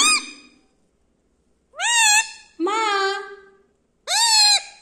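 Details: Pet Indian ringneck parakeet indoors imitating human words such as maa and papa: four loud, harmonic, voice-like syllables, the first falling, the rest drawn out and slightly arched, separated by short silences.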